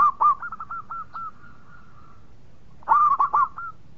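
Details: Singing local zebra dove from Indonesia: a rapid series of short, purring coo notes at a steady pitch, a quiet gap of over a second, then another loud burst of rolling coos.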